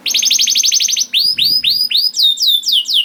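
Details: Young canary in song, played to encourage silent canaries to start singing: a rapid high rolling trill gives way to spaced, sweeping whistles that drop in pitch, delivered briskly.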